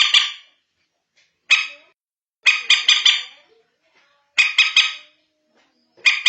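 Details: Lure call of the common moorhen (bantiung), used after dark: single rasping notes alternate with rapid harsh triplets, irregularly spaced about a second apart, with no other sounds.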